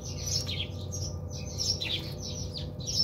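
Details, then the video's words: Bathing house sparrows at a South African home chirp in dense overlapping chatter, short high notes falling and rising in rapid succession, with low droning noise behind. "Cute Moment of Birds Bathing & Chirping"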